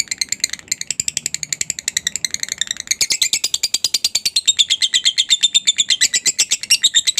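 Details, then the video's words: Ngekek lure chatter from a lovebird meant to set other lovebirds calling: rapid high chirping that begins scattered and uneven, then settles into a steady, louder stream of piercing notes. "pancingan Lovebird ngekek panjang ampuh buat Lovebird apa saja langsung nyaut dan rajin bunyi"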